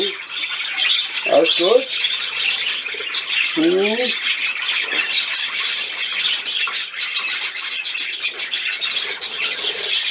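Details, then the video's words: Budgerigar at play on 13 December 2019 runs on in high, scratchy, rapid twittering, with two brief German spoken phrases early on and bird chatter alone afterward. "Der Wellispielfilm"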